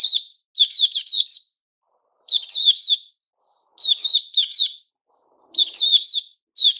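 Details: White-crowned shama, caged and growing new feathers, 6 September 2021: lively phrases of quick, sharp, stacked chirps repeated several times, broken by short quiet pauses.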